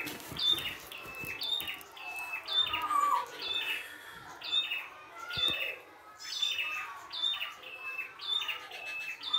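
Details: Wild red-headed prinia, known locally as prenjak kepala merah, singing richly in nature: repeated high whistled notes that step downward, uttered about once per second in loud bursts.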